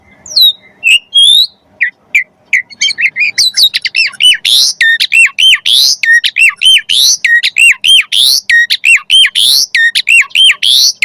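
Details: Javan pied starling used as training song for magpie-robins: a few whistles and chips build into a long, fast series of loud, hard, repeated squeaky notes.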